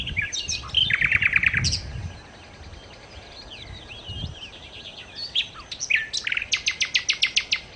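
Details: Sikatan londo, the nightingale, sings a rapid buzzy trill of repeated notes, then softer varied warbles and slurred whistles, ending in a loud, evenly pulsed series of sharp repeated notes. Low background noise runs throughout.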